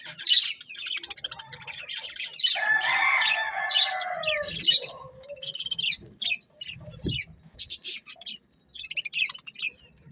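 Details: Colourful budgies chirp in rapid high twitters, with a drawn-out harsh, wavering squawk in the middle, then more clipped chattering notes.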